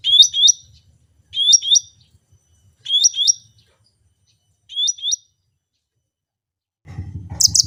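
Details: Cucak rante in active, natural song: a crisp phrase of two or three rising whistled notes, repeated four times at gaps of about one to two seconds, then a burst of low noise and a sharp high chirp at the end.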